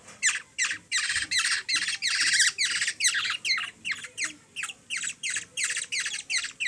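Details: Insistent rasping squawks from a hungry kilyawan, the Black-naped Oriole, while a three-year-old Philippine girl feeds it, repeated nearly three times a second with a brief denser flurry early on.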